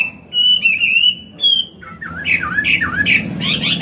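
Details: Song of an old Chinese hwamei with a forest-type voice, played to train caged songbirds. Long, level whistled notes lead into a run of dipping, wavering phrases with a low constant hum behind.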